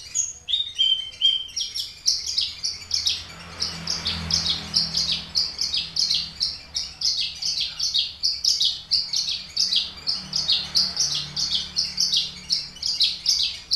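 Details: Horsfield's bush lark of the Papuan subspecies aliena, caged for three years and filled with finch songs, sings loudly and continuously: a quick stream of high, sharp chirps and twittering phrases, varied yet rhythmic, in a quiet room.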